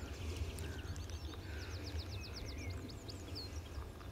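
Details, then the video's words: Meadow pipit on Pegsdon Hills in May 2014, perched in the sun among skylarks: a quick run of thin, high notes, each sliding sharply downward, repeated steadily for about two seconds over a low wind rumble. "Meadow Pipit at Pegsdon Hills - May 2014"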